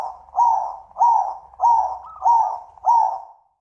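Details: Zebra dove giving a run of five strong, rounded coos, one every 0.6 seconds, each swelling and then fading. The series is steady and closes on a soft tail. The background is quiet.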